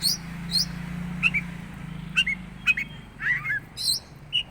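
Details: Oriental magpie-robin heard with unusual calls: a series of clipped, sharp chirps and twittered double notes, irregularly spaced about half a second apart, with thin high squeaks, over a continuous low mechanical hum.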